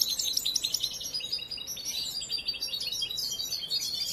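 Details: Young captive European goldfinch, raised from hatching and still learning its song, delivering fast twittering phrases of high tinkling notes and buzzy trills that fill the clip without pause.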